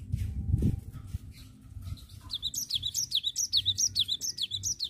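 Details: Cinereous tit in ngerol song: after a quiet start with a low thump, a fast rolling run of about a dozen high, sharp chirped notes, each a quick downward flick, evenly repeated.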